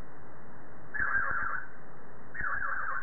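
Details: A pet budgerigar kept at home gives two short bursts of chatter, a scratchy warbling run of quick notes, separated by a brief pause over a steady low background hum.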